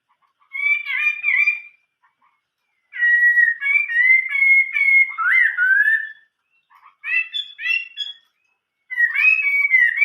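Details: Old-forest voice song ('giọng rừng già') of a Chinese hwamei: four bursts of loud whistled phrases separated by pauses, mixing slurred whistles with quick chirpy note clusters.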